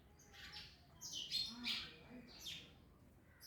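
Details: As they eat orange, parrots give rapid raspy chirps and squawky notes in quick succession, with a few faint low tonal sounds underneath.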